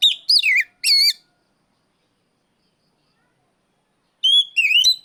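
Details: Calling out a rival, an Oriental magpie-robin gives three loud, wavering whistles in quick succession. A long silence follows, then a second group of high, fluting notes that twist up and down.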